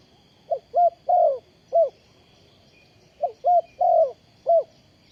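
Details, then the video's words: Decoy spotted dove for bird trapping, 20 April 2020, giving two full phrases: soft short coos building to a drawn-out croo, then one final short coo, with a pause between phrases and a faint steady background hum. "Bẫy Chim cu gáy bằng mồi đất"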